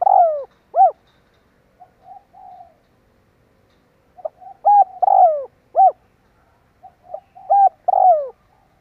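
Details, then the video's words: Lure call of a spotted dove: repeated coo phrases, each a short note, loud arched coos and a drawn-out descending coo, separated by quiet murmuring notes, roughly three phrases in total, clean background. "Tiếng chim cu gáy kích bổi nhanh nổi"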